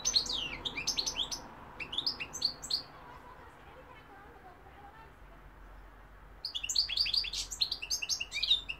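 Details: Goldfinch song from 2021 with London and Algeria mentioned: tinkling, liquid high chirps strung into fast phrases, a quiet gap of about three seconds in the middle, then another lively burst of twittering.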